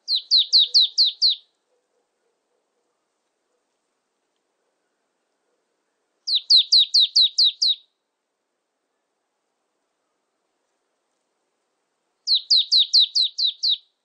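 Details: Repeated bursts from a Marsh tit, recorded 2020: three rapid strings of about seven high, downslurred whistled notes, each string lasting under two seconds and coming roughly every six seconds, with silence between.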